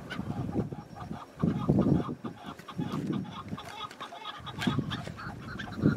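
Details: Wild chukar partridge calling in spring mountains with patchy snow, mixed with other bird voices: bursts of short, clucking notes repeated in quick runs, separated by brief pauses, over gusting wind rumble.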